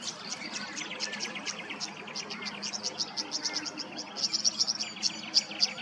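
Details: Tawny grassbird in Queensland, Australia, giving a fast run of sharp, high chirps and short ticking notes, densely packed and repeated without pause, growing louder and brighter toward the end, over a soft low hum.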